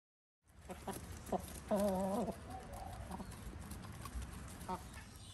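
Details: Ayam Cemani, an all-black Indonesian chicken breed: a short wavering clucking call near the two-second mark, with a few softer clucks and clicks before and after over steady background noise.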